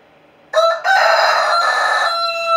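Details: A young pet Brahma rooster, crowing and talking to his hens, gives a hoarse, immature crow: a brief clipped opening note, then one long, strained, wavering note lasting about two seconds.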